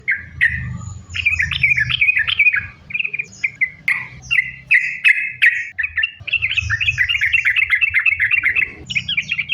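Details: Lure recording of a sooty-headed bulbul singing hard in linked sambung ropel style: varied bubbly, slurred phrases in uneven bursts with short gaps, over a steady low hum.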